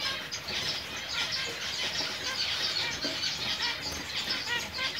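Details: Five-month-old zebra finches chattering continuously, quick overlapping nasal chirps about one and a half per second, busy and unbroken from start to finish.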